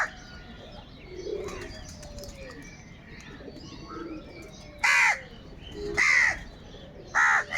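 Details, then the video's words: Crows squabbling over food give three harsh, loud caws spaced about a second apart toward the end, over a background of softer chirps from other birds. "Kaka sound and noises of Crow birds"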